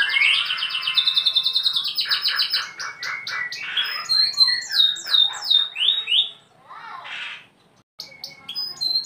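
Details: Canary song used as a tutor for young canaries: long rapid trills, buzzy rolls and sweeping whistled slides shifting in pitch, varied phrases running on with brief pauses.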